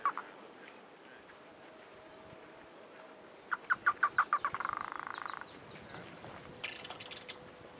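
A Chotoy Spinetail gives about a dozen sharp, mid-pitched notes that speed up into a dry, churring rattle lasting two seconds; fainter bird calls come before and after.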